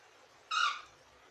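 A cockatiel gives one short, harsh, screechy call that rises slightly and then drops away.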